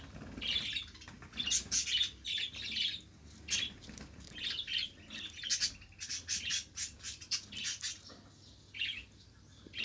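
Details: A pet budgerigar warbles at length: a continuous stream of rapid raspy chirps, clicks and buzzy squawks in uneven pulses, barely pausing across ten seconds.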